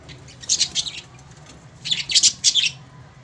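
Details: Australian parrots, a pair of budgies kept in a bird setup, give two short bursts of sharp, high chirps, each a quick cluster of three or four notes, separated by about a second of quiet.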